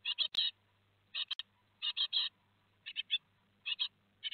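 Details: Great tit nestlings two days before fledging, Théding, 15 July 2020: short clusters of two or three sharp high chirps recurring irregularly over a soft low hum.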